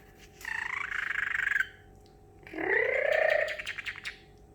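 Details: Parrotlet, a pet bird excited after treats and almonds, imitating water sounds: a long gurgling, bubbly tone, a pause, then a second warbling, rising burst that breaks into quick chatter.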